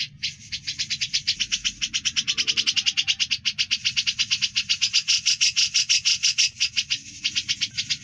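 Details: Grey-cheeked bulbul chattering in its ngebren style, a long tutor track for songbirds: an unbroken train of fast, high, rattling notes over a steady low hum.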